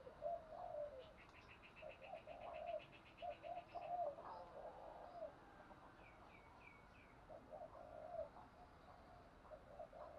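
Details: Spotted dove giving fast fighting coos, used to train and provoke decoy birds into cooing; low hoarse coo phrases repeat through the recording, with thin trills and chirps of other birds higher up and steady outdoor background hiss.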